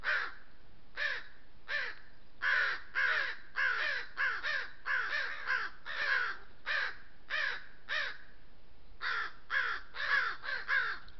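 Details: Group of crows harassing a lone coyote at a water trough in oak woodland of the Southern Sierra Nevada, voicing disapproval and claiming the trough: harsh, raspy caws repeated roughly every half second to second in long runs, with brief pauses.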